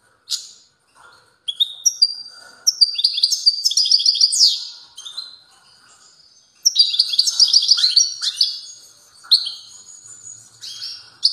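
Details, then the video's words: Strong song of a European goldfinch: bursts of quick liquid twitters, trills and buzzy notes, separated by brief silences, high-pitched throughout with no other sounds. "تغريد قوي لطائر الموقنين"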